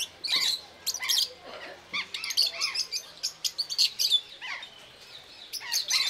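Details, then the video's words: Zoo-kept rosy-faced lovebirds in Belgrade, Serbia, October 2022, on a Panasonic AG-CX350 camera: high, sharp chirps and shrieks from several birds in quick clusters, pausing briefly before more outbursts. "Ljubavna ptica - papagaj agapornis／rozenkolis│Lovebird│Agapornis roseicollis"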